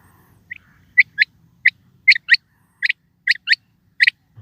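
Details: Quail calling: sharp, high chirped notes, mostly in close pairs, repeated about nine times over four seconds against a faint low hum.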